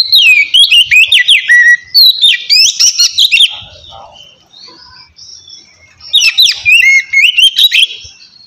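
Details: White-rumped shama singing in a relaxed open style used to provoke lazy birds to sing: loud whistled phrases with rapid sweeping notes, a burst of varied notes, a pause with faint background, then another loud varied burst.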